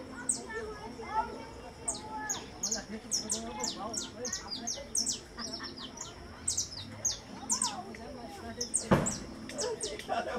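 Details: Saffron finch, valued for its melodious song, delivers long runs of bright, high, down-slurred notes in rapid series. People chat in the background and a sharp knock is heard near the end.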